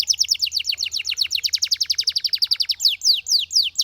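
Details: Belgian canary delivering a fast, even run of high sharp downslurred notes, roughly seven per second, ending in a few slower, longer descending whistles.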